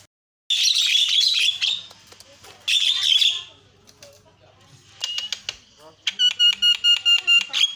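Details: Javan myna, locally jalak kebo, singing lively isian filler song: two loud, raspy, hissing bursts, some scattered clicks, then a string of sharp, ringing notes repeated rapidly and evenly.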